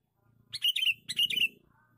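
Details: Male sooty-headed bulbul giving a lure call: two bright, chattering bursts of short, squeaky notes close together, each about half a second long, over a faint low hum.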